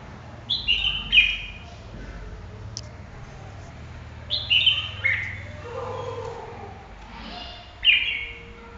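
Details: Red-whiskered bulbul giving short, bright whistled phrases in three bursts, each a quick run of notes that dips downward, separated by pauses of several seconds over a low background hum.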